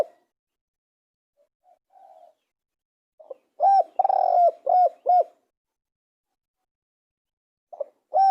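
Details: Spotted dove cooing loudly and close: a few soft introductory hoots, then a run of strong, hollow coos, one longer and rolling, followed by two short notes, and another coo after a pause.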